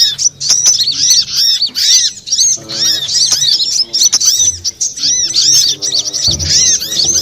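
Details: Lure call of sunbirds, konin, kowul, korlap and sogon styles, meant to draw birds in: a steady stream of sharp, high, arching chirps from several overlapping voices, with brief low knocking sounds underneath.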